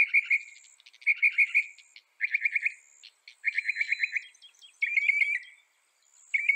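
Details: Northern mockingbird song made of many brief repeated-note bursts, each phrase type chattered several times before switching to another. A faint high whine continues throughout.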